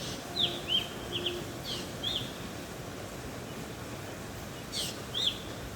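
Black drongo giving short, sharp, metallic chirps in loose bursts, some notes twisting upward, over steady background hiss.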